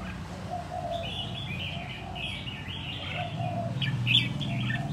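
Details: Song of a red-whiskered bulbul caught wild and kept a year until fit for contests: rapid chirpy warbles rising and falling, loudest near the end, with a low steady hum and faint lower notes behind.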